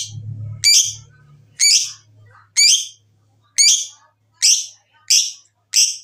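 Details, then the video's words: Lovebird calls aimed at stimulating lovebirds to sing: loud, harsh, buzzy squawks repeated roughly once a second, seven in all, with a low hum at the start. "Pancingan Jitu Lovebird BUNYI dan Ngekek, menjadikan Lovebird Rajin Bunyi"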